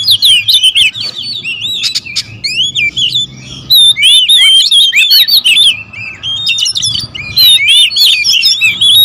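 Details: Territorial oriental magpie-robins, several birds, sing in noisy competition. Nearly continuous overlapping whistles, warbles and scratchy chirps pause only briefly near the middle.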